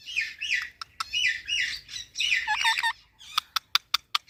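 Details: Green parrot, described as a talking parrot, giving a run of warbled, harmonic chattering phrases for about three seconds, including stepped rising-falling notes, followed by a series of sharp, evenly spaced clicks.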